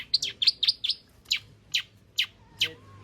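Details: Long-tailed shrike, 'full isian' song played as a lure for other shrikes. A rapid string of bright chirps is followed by single harsh notes spaced roughly every half second.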